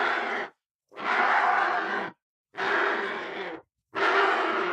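A vulture gives four harsh, breathy, hissing screams, each about a second long, with short silent gaps between them and no other sounds.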